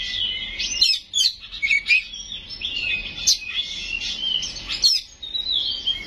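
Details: Kacer, the Oriental magpie-robin, singing 'gacor' with 'isian' and 'nembak' bursts: rambling whistled and warbled phrases with sharp high notes, over a steady background hiss.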